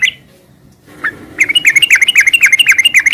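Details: Sooty-headed bulbul song in the continuous ngeropel style. A single chirp and a short pause lead into a fast, steady train of sharp, bubbly notes, roughly four each second, each ringing with high overtones.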